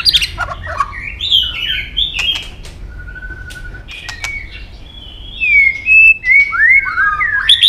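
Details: Competition-singing white-rumped shama, tail flicking on its perch: varied melodious whistles, warbled slurs and a steady low whistle, separated by sharp clicks, ending in clear down-slurred and rising whistled notes.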